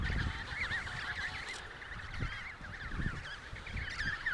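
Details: Many emperor penguins at the Riiser-Larsen colony, Antarctica (72°06 S, 15°06 W), November 2010, call over one another with wavering, trumpeting notes rising and falling in overlapping phrases; wind rumbles low underneath.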